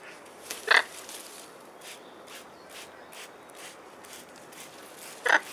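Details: Blue-and-gold macaws, two aged 21, showered by spray bottle outdoors in London, 24 April 2021, sunny spring weather; two short grating squawks about four seconds apart, faint spray hisses and light rustling between.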